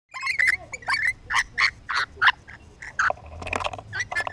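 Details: Curious lorikeets close to the camera: a rapid series of harsh, chattering squawks and chirps, uneven in rhythm, about one or two per second, with some rustling near the end.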